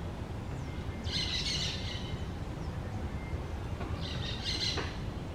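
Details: Green parakeets at their nest: two harsh, buzzy screeching bursts about three and a half seconds apart, with faint thin whistles and a steady low environmental rumble.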